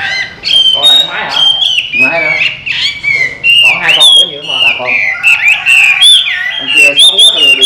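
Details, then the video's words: Chinese hwamei kept by its owner sings continuously: loud varied whistles, slurred rising and falling notes with sharp high flourishes, human speech partly overlapping. "Họa Mi Hót"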